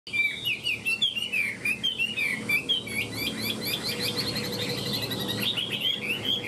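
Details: Caged Chinese hwamei singing while fanning its tail and flicking its wings: a rich, fast run of loud warbled whistles that swoop up and down, phrases tumbling together with hardly a pause.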